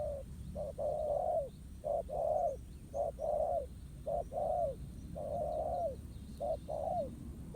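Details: Wild spotted dove cooing back at a ground decoy in a trap, facing off like a bold fighter. Low, hollow coos come in short two-note groups, a brief note then a longer falling one, repeated steadily with short pauses between.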